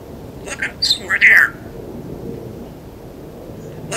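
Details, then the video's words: Pet African grey parrot that likes to give the household dog orders and knows a phone number, uttering a quick run of speech-like syllables and a short falling whistled phrase over about one second, then quiet room hiss. "Super Smart Talking Parrot"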